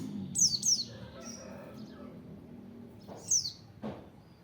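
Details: White-eye training song for open-beak singing: a few sharp, very high descending chirps in pairs and singles separated by pauses, with soft knocks and a faint low background hum.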